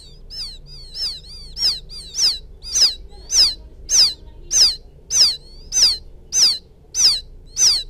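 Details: Lure call of a quail chick summoning its mother: a steady series of thin, high, downward-sweeping chirps, very regular at about one every 0.6 seconds, above a low hum.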